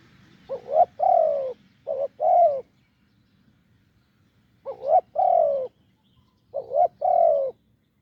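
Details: Wild spotted dove, deep-voiced, calling to a decoy on a branch: grouped low coos, a short lifted note and a drawn-out sliding one, phrases separated by pauses of about two seconds.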